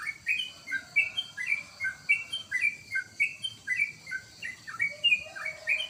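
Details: Home-kept sooty-headed bulbul gives lively chattering song of short, liquid, downslurred whistles, closely spaced and repeated at a brisk uneven pace throughout.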